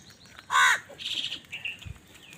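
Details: Crows squabbling over food give one loud, harsh caw with stacked harmonics, followed by softer rasping calls and faint chirps of other birds.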